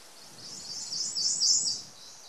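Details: Ijima's leaf warbler song recorded near the Akakokko nature centre: a very high, thin, rapid twittering phrase that swells and fades over about a second, with faint low background rumble.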